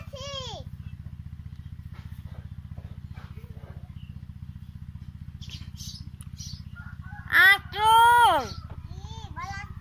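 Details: Myna talking, imitating a girl's voice: after a short high note, a loud burst of harmonic, speech-like calls with rising and falling pitch near the end, over a constant droning engine hum.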